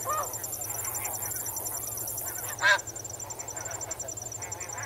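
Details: Swimming and wading snow geese in water, a soft background of flock calls with a single loud, abrupt honk at about 2.7 seconds; crickets trill steadily in the background.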